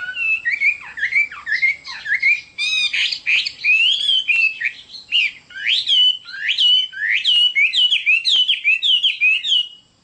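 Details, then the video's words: Chinese hwamei in full song, a long varied stream of whistled, looping and sharply swept notes, loud and continuous with brief breaks. "Chim họa mi đẹp và hót rất hay"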